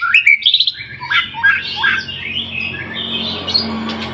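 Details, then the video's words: Singing white-rumped shama, a lure recording to provoke other birds into song: two seconds of rich, bright whistled and slurred phrases, then softer fading notes over a steady low hum. "Pancingan murai batu gacor 🔥 Burung auto bunyi"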